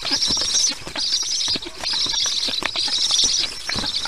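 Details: Nestling black storks fed by a parent on a nest camera, 22 July 2019 at 1:39 p.m. EEST; rapid series of raspy, hissing bursts, each under a second, with clicks and scuffling between them.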